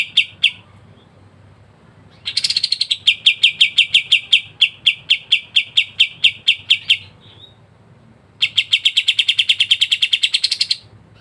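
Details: Kapas tembak delivering masteran ngebren song: a short opening phrase, a pause, then a long rattling series of sharp chips that slows and ends, and after a gap a faster, denser rising trill.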